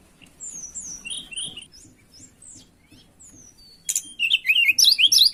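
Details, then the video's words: Tledekan songbird in breeding condition, singing vigorously as if seeking a rival, played as a lure: thin high whistled notes and downslurred slides, sparse at first, then a louder rapid burst of sharp chirping notes over the final second and a half. "Pancingan Burung Tledekan Gacor Birahi Cari Lawan"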